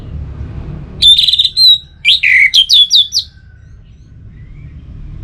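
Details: Orange-headed thrush (anis merah) from North Bali, Singaraja, in captivity: a bright trilled whistle, a pause, then a quick series of sharp descending whistled notes, with low background hum.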